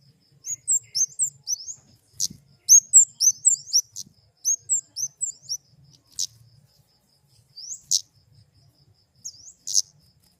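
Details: Flowerpecker singing clusters of high, thin, slurred chips in quick runs, then spacing out into single sharp ticks every second or two over a faint low hum.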